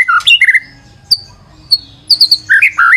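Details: White-rumped shama song for luring, heard as short bursts: whistled slurs, a few sharp high notes separated by pauses, and a closing phrase of rising whistles.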